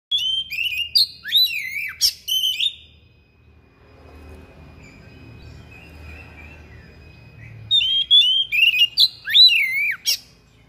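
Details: Thick-billed kacer (magpie-robin) singing persistently with a sharp voice and unloading its repertoire of copied phrases: bursts of loud whistled, slurred and rising-falling notes at the start and end, separated by a quieter stretch with low background rumble.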